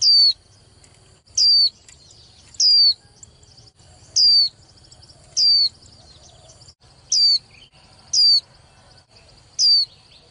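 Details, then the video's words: Female white-eye, a young hen whose calls push males to sing harder in contests; eight piercing downslurred whistles repeat at a fairly even pace of roughly one every 1.3 seconds, with a thin constant high tone underneath. "KHUYÊN MÁI TƠ - Kích Trống Líu Đấu Sung Hơn Mỗi Trận"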